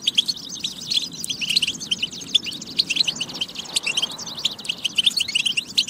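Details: European goldfinch song from a batba training recording meant to stimulate goldfinches to sing and get into form: a dense, continuous stream of rapid, high, tinkling twitters and buzzy trills without pause.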